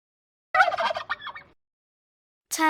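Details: Turkey gobbling: one rapid, rattling burst of warbled notes lasting about a second, then silence before another sound starts at the end.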